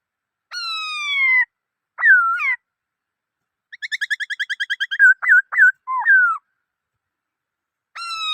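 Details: Varied black-throated laughingthrush song: a long falling whistle, a twisted slurred phrase, a quick even trill of repeated notes, then looping whistles. A final long falling whistle begins as the clip ends.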